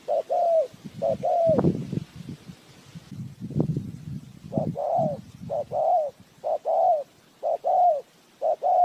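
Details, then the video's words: Trapping decoy spotted dove giving repeated two-note coos, the second note longer and falling; a spell of rustling and thumping handling noise interrupts before the coos resume in a steady run of five. "Tiếng chim cu gáy mồi chuẩn gáy gọi cực hay"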